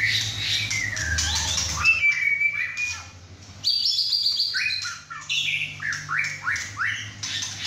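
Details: Captive-bred six-and-a-half-month-old male White-rumped shama whacking hard during a home chai session with other birds; bright slurred whistles and sharp high phrases, a short pause, then rapid bursts of rising and falling notes over a low hum.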